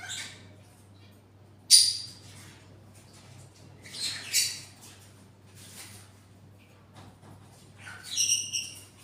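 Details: Parrots giving harsh, raspy squawks in four separate bursts spread over nine seconds, with quiet gaps between them and a low steady hum in the background.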